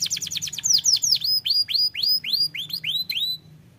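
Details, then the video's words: Canary song said to make other canaries start singing at once. A fast, bright trill of rising-falling whistled notes slows into a series of downward-sweeping, slurred whistles, with a faint low hum behind. "kenari lain langsung bunyi dengar ini"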